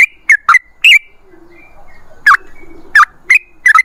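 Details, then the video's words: Sooty-headed bulbul singing clear, liquid two- and three-note whistled phrases separated by short pauses, with faint background hum between the notes. "MASTERAN TRUCUKAN TERBUKTI AMPUH : Ropel Ngalas"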